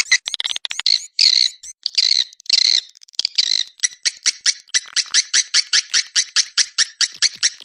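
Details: Swiftlet lure call in the Anak Muda style, meant to draw swiftlets in. Short bursts of shrill chattering give way to a steady series of sharp chirped clicks, about three per second.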